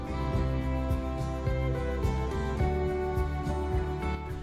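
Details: Plucked guitar music plays steadily throughout, with no animal voices.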